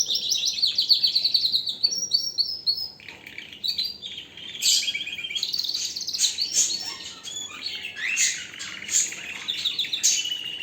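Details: Canary singing a long, varied high song of rapid trills and chattering phrases that shift in pitch, with bursts of buzzy notes in the second half and no other sounds.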